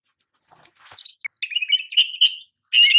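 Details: Oriental magpie-robin, champion singer used for training, producing a wavering run of warbled, slightly buzzy notes after soft scattered calls, ending in a loud harsh burst.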